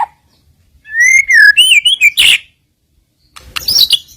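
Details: Lure song of a white-rumped shama, filler phrases to provoke rivals: a clear, wavering whistled phrase rising and falling, a harsh rasping burst, a silence, then a scratchy high flourish.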